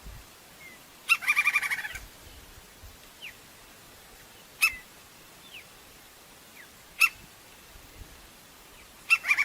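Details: Crimson-crested woodpecker (Campephilus melanoleucos) in nature giving sharp, high, explosive notes every two to three seconds, the first running into a fast chattering trill; faint thin whistles from another bird.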